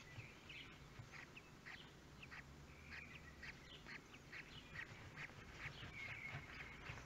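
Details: Common kestrel newborns at their first feeding at Théding on 23 May 2022: rapid, harsh, squeaky calls repeated in quick irregular bursts, some thin and drawn out, over a steady low hiss and rumble.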